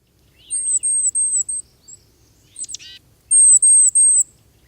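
Tufted Titmouse giving very high, thin, slightly falling alarm notes in quick strings.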